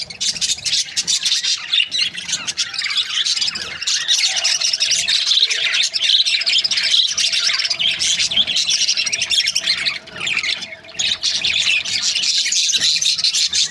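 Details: Budgerigar breeding pairs in steady group chatter, an unbroken stream of high chirps, squeaks and squawks, easing briefly around the tenth second.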